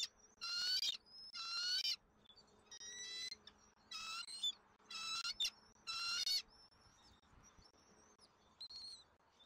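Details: Bald eagles at a Southwest Florida nest while an eaglet is fed at dinner on 13 January 2024. Loud, piercing harmonic squeals come in bursts of one to two, then fade to faint thin whistles, with a low hum underneath.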